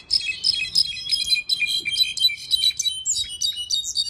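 A Mexican goldfinch sings a fast, unbroken twitter of high, varied chirps and trills, with no pauses over four seconds. No other sounds are heard.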